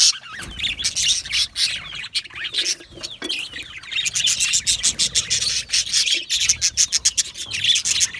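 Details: Several budgerigars chirping together, an overlapping mix of warbling slides and rapid raspy chirps that builds into a fast pulsing run of notes.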